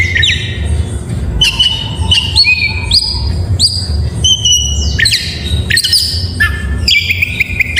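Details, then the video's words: Oriental magpie-robin singing in the morning, a loud varied song of clear whistled notes, sliding and level phrases between mid and very high pitch, with sharp buzzy upswept notes, over a low background hum. "Suara Burung Kacer Di pagi hari GACOR MEWAH...‼️Bikin Kacer Lain ikut Bernyanyi"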